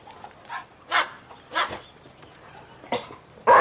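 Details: A white cockatoo watching dogs imitates their barking with five short, harsh bark-like yaps spaced about half a second to a second apart, with a louder burst at the end.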